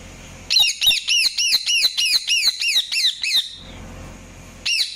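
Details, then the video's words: Indian ringneck parakeet chirping: a fast series of about ten shrill arched chirps, each rising then dropping, delivered roughly three per second, then a pause and one more chirp at the end. "INDIAN RINGNECK CHIRPING SOUNDS"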